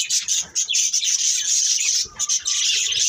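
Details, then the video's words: Dense, high budgie chatter from a breeding pair, a steady rush of rapid chirps and grating warbles with brief dips. "Beautiful Budgies Chirping Sounds | Love Birds Breeding Pair"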